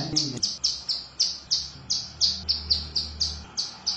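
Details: A female hill prinia, used as a lure call, gives a fast series of thin, high chipping notes, about three or four per second, with a brief low thump at the start.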